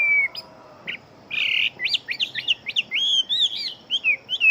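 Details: Chinese hwamei kept as a fighting bird sings rapidly, mixing a short harsh burst with quick looping whistled notes and slurred phrases that rise and fall in fast succession.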